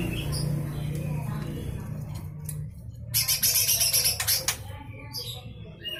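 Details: Cucak hijau mini, the lesser green leafbird, delivering coarse 'besetan' bursts kept as tutoring song for magpie-robins and shamas: a loud buzzy run of rapid high pulses lasting over a second, then quieter chips, over a low hum.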